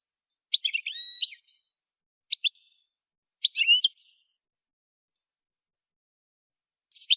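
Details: Goldfinch in a song-training recording: sparse phrases of quick chirps and short whistled slurs with long silent gaps between them, each phrase under a second.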